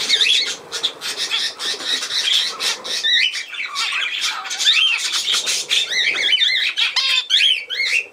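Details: Budgerigar warble dated 17 November 2024: constant rasping chatter with repeated swooping whistles, ending in a run of rising and falling looped squeaks.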